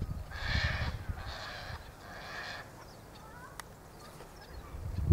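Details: Double-barred finches (Taeniopygia bichenovii) in bare branches in late-winter sunshine: one gives three drawn-out, nasal, slightly trumpeting calls about a second apart, then faint thin notes, over low rumbling wind.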